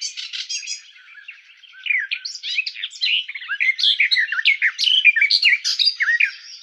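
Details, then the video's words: Song of the garden warbler (Sylvia borin) opens with a few short buzzy notes, then builds into a rapid, bubbling stream of varied warbled phrases that grows louder toward the end. "Как поёт Славка садовая Sylvia borin"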